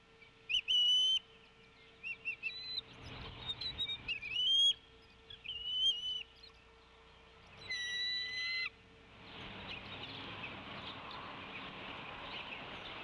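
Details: Wild female Bald Eagle arriving at her nest at Decorah, tea kettling loudly as she walks to the male and pushes him off a fish he is feeding to the eaglets; thin high whistled chitters in bursts, then steady rushing noise.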